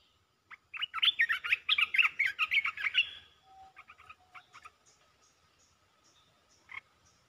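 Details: Red-whiskered bulbul delivering a rapid 'poet dok' song phrase: about two and a half seconds of fast, lively, warbled notes, then quieter scattered chirps and a single louder note near the end.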